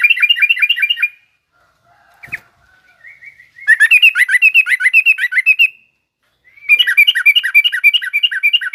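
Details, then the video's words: Yellow-vented bulbul singing in the garuda and rough ngriwik styles, used to train young bulbuls: bursts of fast, bubbly, chattering notes repeated several times a second, broken by abrupt silences and a few faint scattered chirps. "suara burung trucukan garuda lanjut trucukan ngriwik kasar ini pas tuk terapi trucuk muda ajar bunyi"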